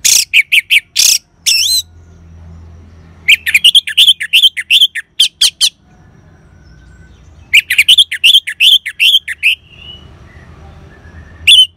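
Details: Orange-headed thrush singing ngeban style as a lure for caged birds: rapid runs of bright, sharply modulated notes repeated about three per second in long bursts, with pauses holding a low background hum.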